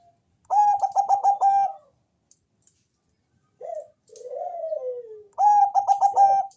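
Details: Bangkok-type zebra dove, deep-voiced, sung as a lure to set other doves calling: a fast stuttered burst of coos, a pause, a short low note, then a long slurred coo falling in pitch, and a new stuttered burst.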